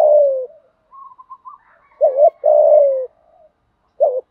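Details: Spotted dove fighting coo used to get decoy birds singing: a long falling coo, quiet stuttering notes, then a wavering double note and a sustained low coo, another double note starting at the end.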